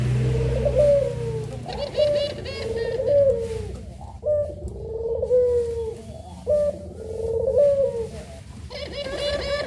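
Barbary dove giving long, low, rolling coos, each drawn out over a second or more and repeated steadily, with faint high chirping behind.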